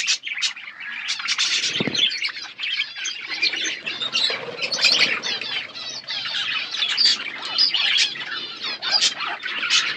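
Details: Several pet budgerigars feeding on seeds in a natural outdoor aviary: constant overlapping warbles, chirps and scratchy squawks from many birds, with a brief low thump near the start.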